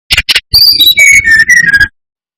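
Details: Brown-chested jungle flycatcher lure song to rouse rival birds: two short rasping notes, then high whistles falling to a string of lower, steady whistles lasting over a second.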